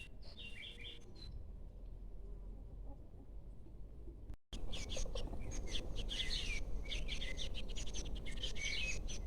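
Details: American goldfinch, yellow birds: after a brief quiet opening with a few high notes, a dense run of rapid, high twittering chirps and short warbled phrases fills the second half over a steady low rumble.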